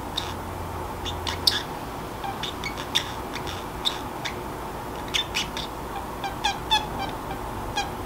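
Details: Indoor free-roaming Pacific parrotlet chattering to itself when drowsy: sparse soft clicks and short buzzy squeaks spaced a second or so apart, a few quick clustered bursts near the end, steady room hum underneath.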